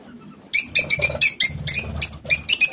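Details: Lovebirds in an aviary burst into a quick series of sharp, shrill, harsh calls, about four a second, after a quiet start.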